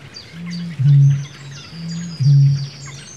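A bittern gives two deep, hollow booms about 1.5 seconds apart, each a soft lead-in and then a loud foghorn-like note. Faint high bird calls sound behind.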